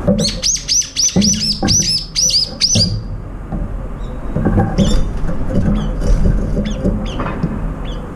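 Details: Among several brown-eared bulbuls competing for food, including one with a disabled left foot, a bulbul gives about ten shrill, harsh notes in quick succession, then fainter scattered calls follow over a steady low rumble.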